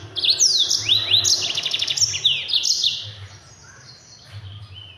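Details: Mozambique canary (Yellow-fronted canary) delivering its speedy, tightly packed training song for other birds: loud rising sweeps and buzzy trills crowd the first three seconds, then fade to scattered quiet notes.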